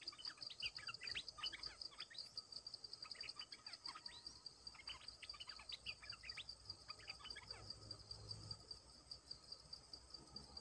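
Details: Lure song of a bulbul for attracting wild birds. Several rapid bubbling phrases of rising and falling whistles in the first half, then quieter. A shrill cricket trills steadily throughout.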